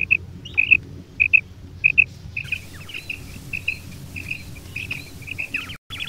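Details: Mixed female and male quail calling: four clear paired chirps, then a denser jumble of softer chirps and downward slurred notes, ending with a brief dropout and a short trill over a low rumbling background.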